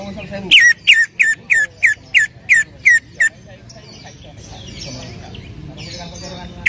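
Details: Greater green leafbird lure recording meant to prompt another leafbird to sing: eight loud, sharp downslurred whistles in quick regular succession, then a quieter stretch of softer twittering and background murmur.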